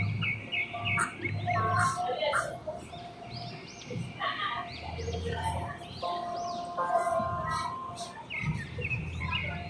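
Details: Ringneck parakeet talking to its reflection in a mirror in Urdu/Hindi: rapid squeaky voice-like phrases mixed with sharp chirps and whistles, almost continuous, over a low background hum.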